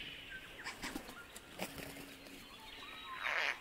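A Satin Bowerbird gives scattered clicks and dry churring notes, ending in a loud harsh buzzing burst; faint background rustle.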